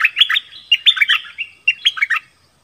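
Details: Nok dok taeng in a song contest with wild birds. Loud, continuous chirping and warbling is grouped into three dense bursts, then ends abruptly into quiet.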